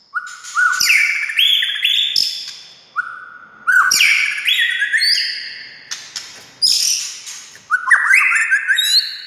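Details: White-rumped shama song used to make other shamas sing: loud varied phrases of stepped, rising whistles with bright high notes and rattles, each burst followed by short pauses.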